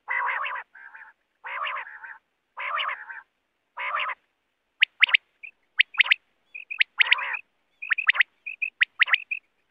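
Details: Quail calls used for hunting: about four harsh, buzzy bursts repeated roughly once a second, then quick groups of sharp, high clipped notes mixed with short thin chirps.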